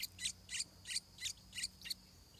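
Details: A stripe-throated bulbul chick before its first flight gives six loud, harsh, high chirps in a steady series, about three per second, with a faint background hum.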